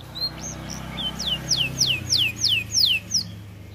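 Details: Said to be reluctant to sing due to its weight, this canary gives a few soft whistles, then a clear run of downward-sweeping notes repeated steadily about three times a second, over a low background hum.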